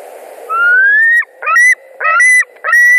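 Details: White-tailed eagle screaming at a nest in Latvia on a July evening as an adult arrives: a long rising whistled note, then three shorter harsh yelping calls with rising tails, loud and close.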